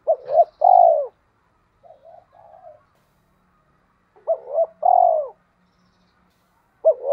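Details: Spotted dove decoy from Hai Hậu, Vietnam, cooing to entice wild doves; two full phrases of a quick double note then a long sliding coo, with faint low murmurs between and a third phrase starting.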